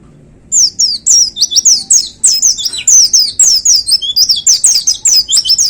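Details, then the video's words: White-eye kept in a hanging cage, giving the 'tembakan' shooting song: an unbroken stream of rapid, very high, down-slurred whistles and chirps, about four notes per second, loud and bright throughout. "Suara Tembakan Dahsyat Pleci Gacor Paling Digemari Para Plecimania Digantangan"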